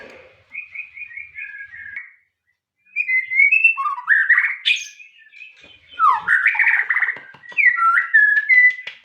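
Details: White-rumped shama delivering a short series of repeated whistles, a brief silence, then loud varied phrases with sweeping upward and downward slurs and clear whistled endings.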